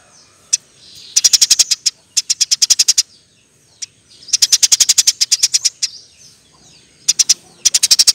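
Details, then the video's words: Eurasian tree sparrow in a training recording for songbirds: bursts of rapid, high, metallic chirps, each run of eight to twelve notes, separated by short pauses and single isolated chips. "Burung gereja gacor nembak rapet full alasan"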